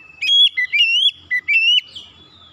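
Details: Oriental magpie-robin lure song to prompt other birds' singing: a fast phrase of four clear whistled bursts with wavering, up-and-down notes, fading into faint background noise.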